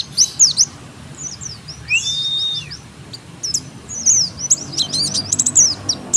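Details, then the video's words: Oriental white-eye lure song for provoking answers: high chirps and a single long, arched, thin whistle, then busy sharp twittering over a soft hiss. "Pancingan pleci dijamin langsung nyaut"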